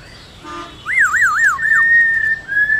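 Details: Black-throated laughingthrush in forest-voice song, used to stimulate caged birds: a fast wavering whistle that swings up and down several times, then a long sustained level whistle with a short break.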